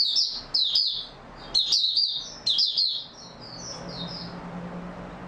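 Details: Oriental white-eye, locally Mata Puteh, singing on 28 February 2022: a run of quick high twittering bursts that softens into a quieter trailing warble over a low steady hum.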